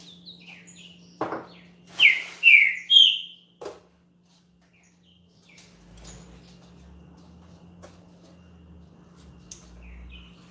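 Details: A champion green-winged saltator sings to rouse another saltator: a brief soft note, then three loud descending whistles in a tight burst, a lone short note, and faint low hum and scattered ticks afterward.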